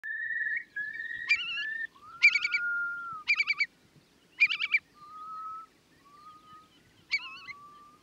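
Curlew giving long, clear whistled notes that slide at steady pitch, broken by short, quavering bubbling bursts about once a second, over a faint low rumble.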